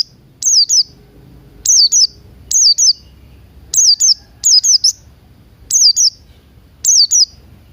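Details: Buxton's white-eye singing in the morning, a lure recording meant to make caged birds open their beaks and sing, mixed with Crested Jay sounds: paired and tripled piercing, falling whistles, about seven bursts.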